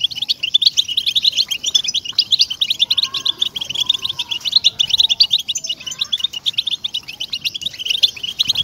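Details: European goldfinch song played to stir captive goldfinches into singing: dense, rapid, high twittering and tinkling notes pouring out without pause, with faint lower whistled tones underneath around the middle.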